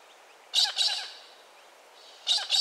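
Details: Pink and Grey Galah (Eolophus roseicapilla) in Western Australia giving two pairs of harsh, screechy double calls, each about a quarter-second apart, with a gap of nearly two seconds between pairs.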